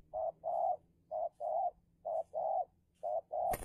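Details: Spotted dove used as a decoy to lure wild doves in a heated territorial contest: low mellow coos in paired phrases, a short note then a longer one, four pairs repeated about once a second, ending with a sharp click.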